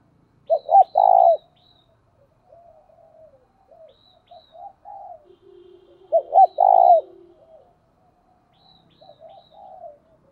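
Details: Cooing lure spotted dove, from recordings of the thúc and gáy gọi styles. Two loud phrases about six seconds apart, each with short rising notes and a long mellow coo. Quieter wavering coos lie between them, with faint high chirps from other birds.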